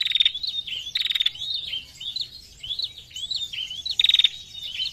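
A female prinia gives quick bursts of dry, high ticking, each under half a second and repeated every second or so, with thin chirps in between.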